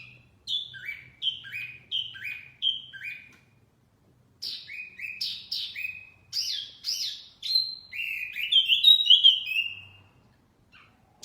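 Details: Lively wambi mini song used as a bird-catching lure: a string of paired, descending whistled notes about every half second, then varied sharp chirps and a long buzzy warbled phrase before falling silent.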